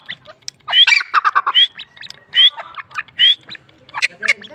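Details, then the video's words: Grey francolin (teetar) gives a loud, harsh, clucking series broken by sharp rising whistled notes, about one every second, with scratchy squawks between them. "Teetar ki awaaz | teetar ki awaz | titir | teetar voice | teetar Sound | grey francolin voice"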